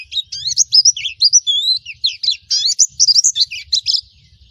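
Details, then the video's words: Indonesian white-eye of the Baduy type singing a rapid, high twittering song of short slurred chirps and upward-flicking whistles, densely packed with only brief pauses, over a faint low rumble. "Pleci Mana Yang Tidak Merespon Mendengarkan Suara Pleci Baduy"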